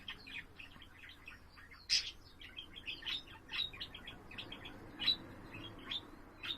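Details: Pet budgerigar warbling on 7 April: scattered chattering chirps and clicks with several louder sharp squeaks spaced a second or so apart, steady faint hum behind.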